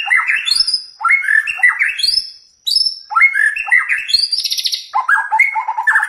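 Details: White-rumped shama song, used to provoke a kept shama into singing its mimicked fillers: loud, varied phrases of rich whistles, sweeping upslurs and buzzy high notes, delivered in bursts about a second apart with brief pauses.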